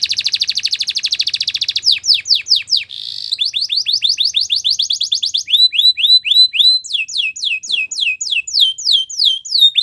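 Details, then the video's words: Singing Belgian canary delivering a fast buzzy trill, then a series of tours of rapid, steeply falling whistled notes, with a brief rolled trill in between, each phrase repeated many times in quick succession. "Belgian Canary Singing"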